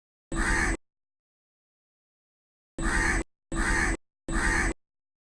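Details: From its perch in a tree, a crow gives four raspy caws: a single call, a long silence, then three in quick succession.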